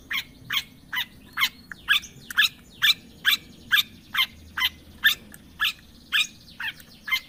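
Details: Long-tailed shrike lure recording meant to start a silent bird singing: rapid, regular scratchy chack notes, two or so each second, with faint overlapping chirps behind.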